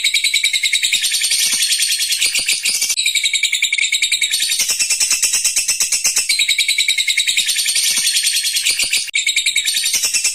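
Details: Long ngekek chatter from a lovebird, a continuous shrill buzzing trill of fast repeated notes, about two pulses a second in the louder beats, sustained throughout with brief dips.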